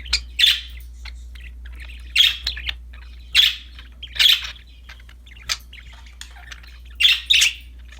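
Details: Cheerful pet budgies with a new toy: raspy chirps in pairs and singles every second or so, interspersed with soft ticking notes and a quiet low hum.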